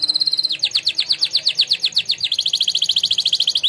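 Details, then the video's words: Canary crowned in a singing contest, delivering training song: a rapid high trill, then a rhythmic series of quick, downward-slurred whistles, speeding into a fast, even rolling trill to the end. "canary training song"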